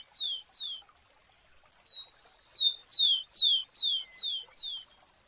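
Rufous-collared Sparrow song: a run of high, clear, downslurred whistled notes, about two or three per second, with a few thin steady whistles between them.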